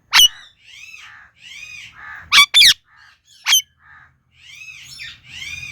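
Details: Indian ringneck parakeet calling loudly: arched, harmonic chirps and chattering notes, broken by sharp, piercing squawks near the start, middle and three seconds in, in a quiet setting.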